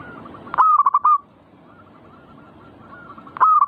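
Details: Zebra dove (perkutut) giving its manggung song to prompt other birds to sing. One full phrase opens with a sharp note, then a string of quick rounded coos. A second phrase begins near the end, over faint background cooing.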